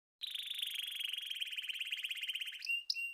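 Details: Canary singing a long, even, rapid buzzy trill of fine repeated notes held for over two seconds. It ends with a brief sharp note and a click.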